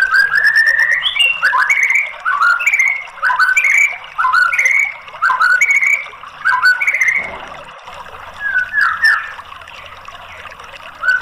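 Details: White-rumped shama lure song, played to coax a silent bird into singing: loud, rich whistled phrases in quick bursts, rising and falling slurs with sharp upper notes, grouped in runs separated by short pauses, one phrase about every second.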